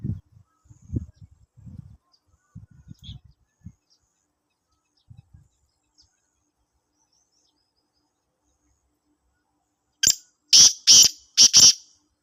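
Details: Black francolin from Sindh, Pakistan: after about ten seconds of scattered low rustles and near silence, four loud, rasping, harsh notes burst out in quick succession.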